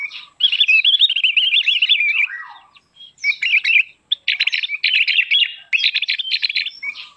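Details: Javan grey-throated white-eye gives a high, rapid twittering warble used as a lure sound: one run of about two seconds, then bursts of quick, chattering phrases, with no other sounds.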